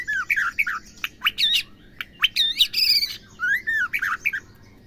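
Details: Female white-rumped shama calling to set males singing: loud, varied phrases of looping whistles and harsh, buzzy notes, with a drawn-out falling whistle and short pauses between bursts.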